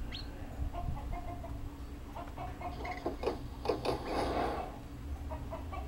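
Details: Common hill myna (Thai nok khun thong), a kept bird, imitating human speech by saying "Good morning"; short voiced, speech-like syllables with harmonic bands, loudest near the middle, over a steady low room hum.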